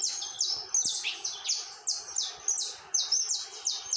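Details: Rapid, continuous singing of a saffron finch: bright, high chirps falling in pitch, about three each second, in an unbroken, energetic sequence.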